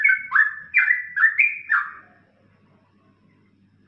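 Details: Short yellow-vented bulbul ropelan phrase, tutor song for songbirds: four quick gurgling, down-slurred whistles in under two seconds, then near silence.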